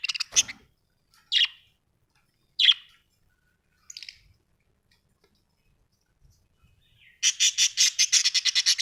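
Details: Budgie giving single scratchy chirps spaced over a second apart, then a fast, rhythmic burst of buzzy pulses at the end.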